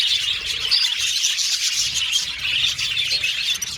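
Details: Budgies chirping in a dense, continuous chatter of high, buzzy, overlapping twitters and short whistled notes, a flock sound without pauses, said to be contact calls for lonely birds seeking companionship.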